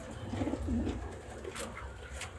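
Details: A pet pigeon gives soft, low cooing notes in the first second, followed by quieter murmurs, with a low hum in the background.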